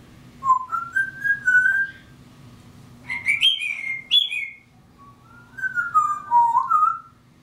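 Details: Pet African grey parrot imitating mockingbirds: clear whistled phrases, first rising and sliding, then a higher warbled burst, then a lower falling and wavering whistle, in three separate bouts with pauses.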